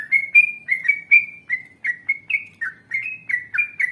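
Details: Yellow-vented bulbul singing a long ropel-style gacor song, ngalas panjang, used to make other bulbuls answer. Quick, clear, gurgling whistled notes linked in a continuous flowing phrase, steadily rising and falling in pitch.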